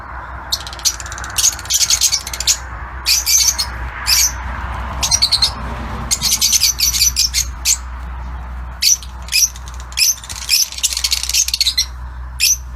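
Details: Lutino Fischer's lovebirds in an outdoor aviary give shrill, squeaky chattering calls in rapid clustered bursts, separated by brief irregular pauses, over a steady low background hum.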